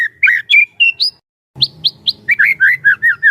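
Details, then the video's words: White-rumped shama used to spur other shamas into song, giving loud whistled phrases and rising notes, a brief silence with a low thump, then sharp high chips and rolling slurred whistles. "burung murai batu gacor AMPUH buat PANCINGAN dan MASTERAN murai batu agar bunyi GACOR EMOSI"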